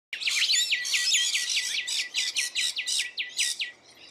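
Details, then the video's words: Rainbow lorikeets feeding in Australia, giving a rapid run of harsh, screechy notes, about a dozen sharp chirps repeated in quick succession before fading out. "Rainbow Lorikeets Feeding"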